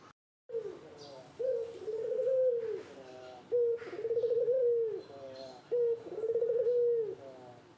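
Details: Spotted dove courting a female delivers four rhythmic coo phrases in close series, each a crisp opening note followed by a rolling, pulsing purr, steady around one pitch; faint higher bird chirps behind.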